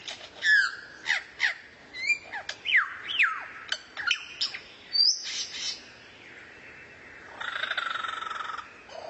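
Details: Masteran song for White-rumped shama training: irregular sequence of sharp chirps and slurred whistles with a bright high note, followed by a soft, rough, sustained buzzy phrase near the end.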